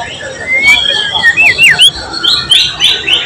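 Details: White-rumped shama (murai batu) singing loudly, recorded on 12 July 2023. Its song is built with imitated filler material from cililin, cucak jenggot, canary and lovebird. Clear rising whistles and quick zigzag slurred notes follow one another in rapid bursts.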